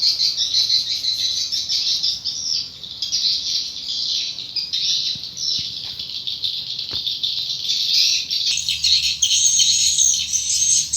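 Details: Swiftlets entering their nest inside a swiftlet house, recorded near the entrance door: dense, continuous high twittering and chattering with thin whistled notes, growing louder toward the end.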